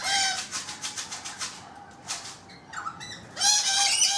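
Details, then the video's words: On a balcony, a rainbow lorikeet gives a rapid series of clipped rasping notes, about eight in quick succession, followed by a longer strident screech. "Balcony Birds EPISODE 1: Rainbow Lorikeets"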